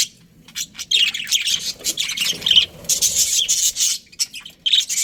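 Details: Australian budgerigar breeding pair chirping: scratchy, high warbled notes in irregular bursts, beginning and ending with short quiet pauses.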